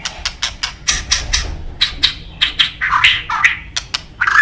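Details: White-rumped shama (murai batu) in vigorous full song with isian fill-in phrases: a rapid series of harsh, scratchy clicking bursts, then rising chattering notes near the end.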